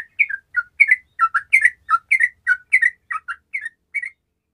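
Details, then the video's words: Loud, energetic gacor song of a sooty-headed bulbul, played to prompt lazy bulbuls to sing: bright, liquid, two-part whistled phrases repeated about three times a second, rising and falling, in clean sound. "TRUCUKAN MALAS LANGSUNG MERESPON DENGAN SUARA TRUCUKAN GACOR INI"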